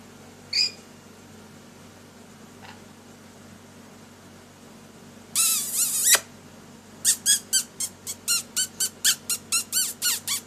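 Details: A lory at play during its daily activity gives a burst of harsh, noisy screeches, then a run of about a dozen sharp, high, shrill squeaks at a steady quick pace, in a quiet room.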